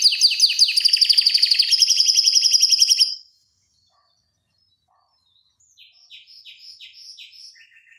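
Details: Canary tutor song for other canaries: a loud fast buzzing trill for three seconds, a long silence, then softer short repeated chirps and a brief lower trill.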